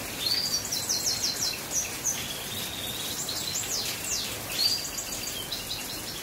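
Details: Goldfinch mule singing during rain: a run of high twittering notes, short sweeping whistles and brief trills, partly veiled by a constant hiss of rainfall.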